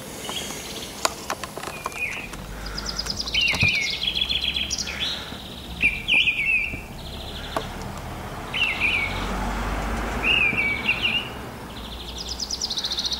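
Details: Mistle thrush song recorded in the morning, March or April 2010: a run of short, loud, fluty whistled phrases with slight slurs, each under a second, given every one to two seconds, with steady distant hum behind.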